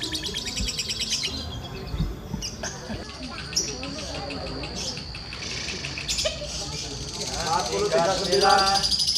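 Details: Lovebird competing in the adult lovebird class at a bird-singing contest: rapid, shrill chattering chirps run into long buzzy trills, over other caged birds and a man talking.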